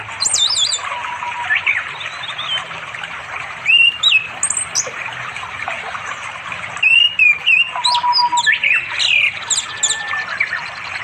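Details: A male Orange-headed thrush sings to call a female to mate in the afternoon, by a flowing river in village forest in East Java. Its varied song of sweet whistled and scratchy phrases comes several a second, high-pitched, over the hiss of running water.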